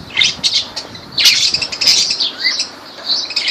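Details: Lovebirds in Kirkuk, Iraq, calling in a busy series of shrill, squawky chirps at high pitch, several overlapping notes and rasping bursts spread across the few seconds.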